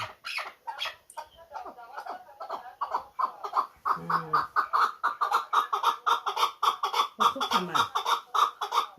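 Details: Hunting chukar partridge of Muminobod calling in quick, uneven bursts of sharp clucks that speed into a steady chuk-chuk series, while human speech breaks in midway.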